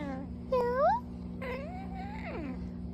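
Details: Pet macaw indoors giving a few short, rising, nasal tonal calls, each sweeping upward and then a longer wavering note that rises and falls, over a steady low electrical hum in a small room.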